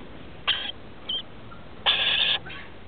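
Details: Rainbow lorikeet chicks, 21 and 17 days old, in a nest inside a house roof as adults come to feed them, 23 October 2013: one short raspy burst, a brief squawk, then a longer harsh buzzing burst.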